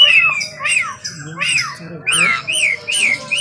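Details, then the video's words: Asian pied starling, known locally as jalak suren, singing energetically in the morning: a sequence of loud whistled upslurs and downslurs and harsh squawky notes in short bursts, with a faint low hum underneath. "KICAUAN JALAK SUREN GACOR PAGI HARI"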